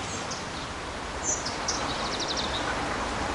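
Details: Spotted flycatcher during nesting, 13 June to 13 July 2011, giving thin, very high 'tsee' notes and a quick run of dry ticks, faint against steady outdoor hiss and rustling.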